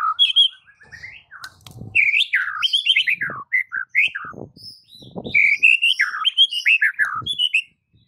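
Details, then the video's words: White-rumped shama song as a master recording for training mute birds: continuous varied whistling, rising and falling slurs and chattering notes, with low soft knocks in the background. "Murai Batu BISU seketika langsung TERPIKAT dengan MASTERAN murai batu ini"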